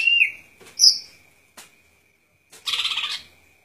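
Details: Golden-fronted leafbird producing a short whistled slur and a high squeaky note, then after a pause a fast buzzy trill lasting about half a second.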